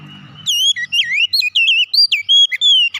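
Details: Oriental magpie-robin delivering a fast phrase of about a dozen clear whistled notes that swoop up and down, each separated by a tiny gap, after a short low murmur at the start.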